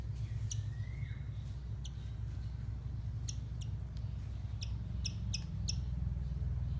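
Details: White-throated fantail (Rhipidura albicollis), which feeds by catching insects on the wing: sharp, high, clipped chip notes in irregular bursts, with one thin falling whistle, over a steady low rumble.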